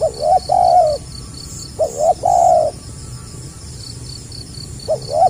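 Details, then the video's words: Spotted dove (tekukur) in the stuttering 'gagap rapat' call style, repeating short stammered double coos followed by a sustained lower coo, phrases close together, over a constant high insect drone. "SUARA BURUNG TEKUKUR GAGAP RAPAT SELANG NGUKU"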